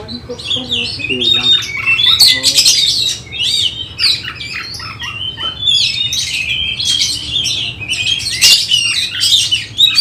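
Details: Oriental magpie-robin trained for songbird contests pours out ten seconds of busy varied song: chattering chirps, whistled slides and harsh raspy bursts in quick succession.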